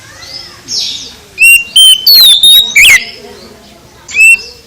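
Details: Oriental magpie-robin in the morning giving a short run of loud whistled notes, including flat whistles and a falling sweep, followed by a single whistle after a pause, over faint background hiss.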